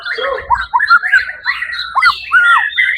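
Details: Champion white-rumped shama at a songbird competition, Suara Agung event, 1 October 2023; short burst of mellow, lower whistled phrases with quick downward slurs and rich warbling notes.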